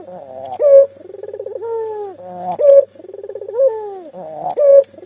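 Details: Local spotted dove calling eagerly, meant to lure mute doves into calling; trilled cooing phrases end in a long falling tone and a loud clear final note, repeated about every two seconds.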